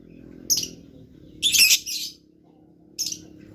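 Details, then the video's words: Blue lovebird singing eagerly, giving a short shrill chirp, a longer burst of harsh high squeaky notes, then another brief chirp, over a steady low hum. "LOVE BIRD GACOR"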